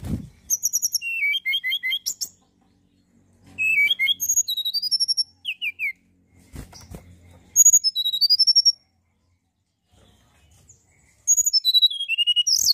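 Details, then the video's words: Mountain tailorbird singing tirelessly, meant to provoke other birds: four separate bursts of high, thin whistled notes, each a quick falling or rising run, with dull low thumps between them. "tledekan gunung gacor pancingan burung anda"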